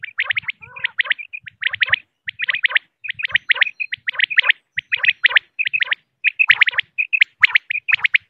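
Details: Common quail, a female, known locally as batair, recorded as a lure for hunting: short groups of quick bright notes, each group followed by a brief gap, repeating steadily about every half second.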